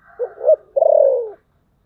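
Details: Spotted dove calling in the style known as thổ sấm: a low, hollow phrase of two short coos followed by a longer, sustained coo that falls slightly in pitch and stops cleanly.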